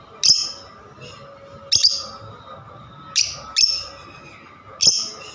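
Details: Lovebird calls: five shrill, high squawks with uneven gaps of one to one and a half seconds, over a low steady hum.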